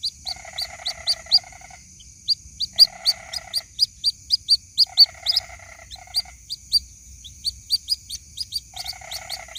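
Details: Lure recording of a white-breasted waterhen chick calling for its mother: quick, high, piercing peeps in an uneven stream, with four short buzzy trills lower down and a constant thin high tone behind.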